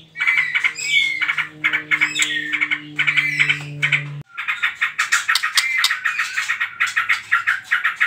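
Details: White-rumped shama singing trotol, a song used to provoke other birds into singing: rapid twittering notes and sweeping whistles over a steady low hum, which stops abruptly midway as the quick chatter carries on.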